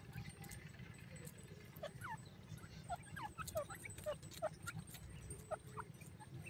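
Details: Young grey francolin bathing in soft sand: thin descending peeps, singly and in pairs, grow more frequent midway, over a low rumbling background and scattered sand-scratching clicks.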